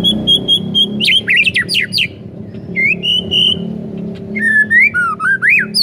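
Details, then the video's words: White-rumped shama song to set other shamas singing: a steady high whistle, a tumbling cascade of fast slurred notes, a long level whistle, then looping rising and falling phrases over a constant low hum. "Belum 1 MENIT di PANCING Murai manapun AUTO GACOR NGEPLONG mendengarnya"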